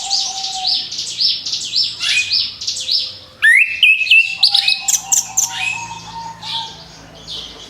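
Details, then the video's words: Song of an orange-headed thrush (anis kembang), played as a lure for other birds: a repeated jerky buzzy trill, then a sudden burst of sharp chirps and rising whistles that trails into softer warbling. "SUARA ANIS KEMBANG BUAT PANCINGAN MAUT"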